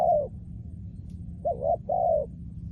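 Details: Trained decoy spotted dove: a drawn-out low coo, a pause, then a short rising double coo and a long hollow coo sliding slightly downward.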